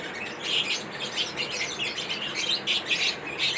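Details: Lovebirds kept as pets chirp during a corn meal; short bursts of sharp, high tweets come in quick clusters about every half second.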